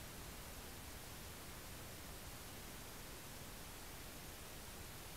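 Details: Steady, even hiss of broadband static fills the whole recording, with no animal voice heard.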